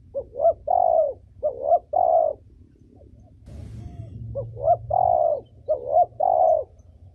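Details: Female spotted dove, a cage bird used for training young birds, gives mellow coo phrases: two phrases, a pause with low rumble, then two more, each a stuttered double note leading into a drawn-out coo.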